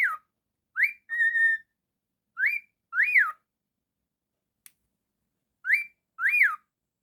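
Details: Captive pet cockatiel in a small room repeating arched whistles that rise and fall, plus one steady flat whistled note, the calls coming in pairs with brief pauses.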